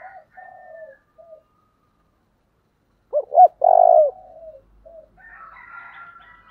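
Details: Intense cooing of a spotted dove with a 'giọng thổ' voice: soft low coos, a pause, then loud deep hollow notes close by, followed by quieter coos and higher chattering tones.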